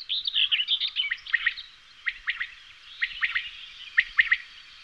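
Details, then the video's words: Common quail singing its sharp three-note phrase, repeated about once a second four times, with a jumble of high twittering from another bird at the start. "Canto Codorniz Común"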